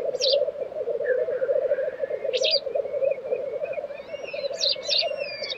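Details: Black grouse bubbling steadily at their April 2023 lek in Tiveden, Sweden. Sharp, rasping hisses burst in at intervals, and high whistles sound toward the end.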